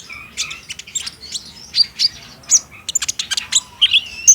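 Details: Green-form kolibri ninja, or olive-backed sunbird, in a recording meant to draw out song: short high whistled notes mixed with fast sibilant chips and quick rising and falling slurs, in uneven bursts.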